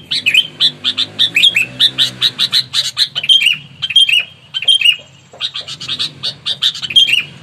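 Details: Sooty-headed bulbul in aggressive, fighting mood: rapid scratchy chatter, then short whistled notes that dip downward between clipped harsh bursts, loud and close, with a low rumble early on.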